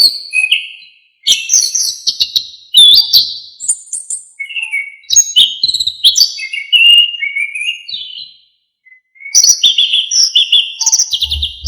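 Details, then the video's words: Varied, energetic song of an Orange-headed thrush, used to teach songbirds. High whistled and chattering phrases come in bursts with short gaps, ending in fast repeated chirps and a low thump. "KICAUAN ANIS KEMBANG GACOR FULL ISIAN"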